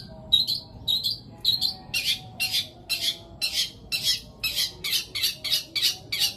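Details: Long-tailed shrike delivering mimicked song: three rising whistled notes followed by a steady series of harsh, buzzy bursts repeated roughly twice a second.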